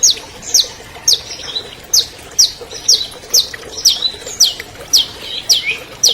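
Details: A 2020 champion albino long-tailed shrike sings to stir silent shrikes: a steady series of sharp, downward-slurred high notes repeated roughly twice per second, each followed by a soft twitter.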